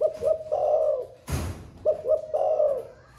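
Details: Spotted dove kept in a cage, singing its 'thổ pha' style song, newly begun and sung all day: two low phrases, each of two brief hoots leading into a drawn-out vibrating coo, split by a loud knock.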